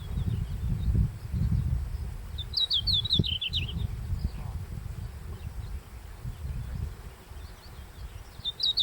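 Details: Red-flanked bluetail song in the Daisetsuzan mountains in early July, the first bird heard at sunrise; one rapid high warbled phrase of falling notes, a faint start of another at the end, with steady low background rumble.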